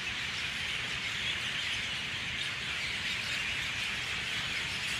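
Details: Dawn chorus of many mynahs as birds start leaving the trees: a dense, continuous wash of overlapping chattering and squealing notes, no single voice standing out, steady in loudness throughout.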